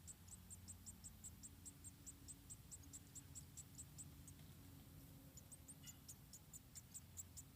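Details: About four munia chicks at their nest in Indonesia, fed one at a time by the mother, give faint high squeaks in a fast even series, partly buried under low droning noise.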